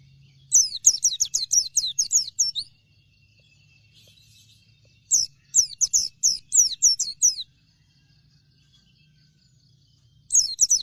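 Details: Oriental white-eye, dakun variety, delivering three bursts of lively song: quick strings of high, falling chirps lasting about two seconds each, separated by short silent pauses.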